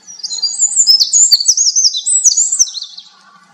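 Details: Fast, jumbled song of a winter wren: a continuous stream of very high, tinkling notes and bubbling trills lasting about three seconds, with zigzagging phrases; faint lower tones near the end.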